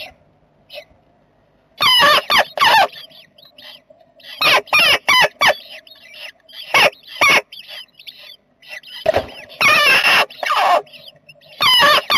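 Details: Jackdaw family in a nest box on 7 May 2020: loud, harsh, raspy calls in bursts with rich harmonics, clustered around one to three seconds apart, with quiet gaps between.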